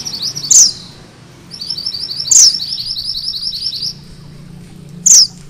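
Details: Sunda bush warbler singing its 'ngerol' roll, material for mastering magpie-robins. Fast, thin, rising sawtooth trills alternate with three piercing squeaky notes spaced about two seconds apart.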